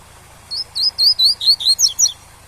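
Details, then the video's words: Captive double-collared seedeater singing the tui-tui style song used to teach young birds: about eight bright, slurred whistled notes, each rising then falling, delivered quickly over two seconds, over a steady low waterfall hum. "O Melhor ENCARTE TUI-TUI com Som de CACHOEIRA para Ensinar seu COLEIRO PARDO"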